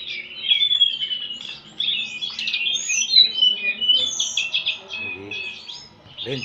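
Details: White-rumped shama pitted against a telede'an gunung, pouring out loud whistled phrases and rapid twittering notes in an unbroken flow, with low voices faintly audible.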